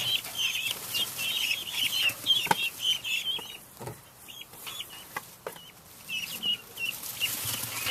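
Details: Several helmeted guinea fowl in their coop, disturbed by stirring of bedding chips: rapid, raspy, high-pitched chattering calls, busy at first, then thinner, sharp repeated notes with clattering and wing flaps.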